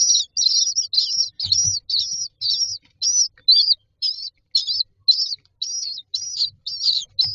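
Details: Common myna chicks waiting in a row for food inside a nest box; sharp, grating high chirps repeated about twice per second, fairly steady, with faint low thumps.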